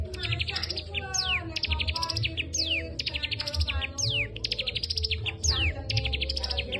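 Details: Caged cigun singing songbird-training material in the kapas tembak style: loud, rapid bursts of bright chips and steeply falling whistles, repeated continuously, over a low steady hum.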